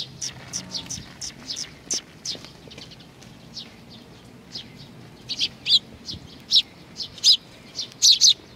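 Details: Sparrows gathering for food at Tenmangu shrine grounds, Nakanoshima, 21 June 2020: scattered soft, high chirps at first, then louder clipped chirps, single and paired, roughly every half second toward the end, over faint low background rumble.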